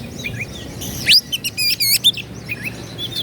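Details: Oriental magpie-robin provoking rivals with a short burst of song: a loud upslurred whistle, then a quick rattling series of short repeated notes, with soft twittering before and after.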